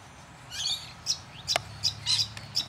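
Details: A buff-banded rail at Deception Bay, south-east Queensland, Australia, gives thin, squeaky high chirps, about six short notes in under three seconds, with one sharp click and a faint low hum behind.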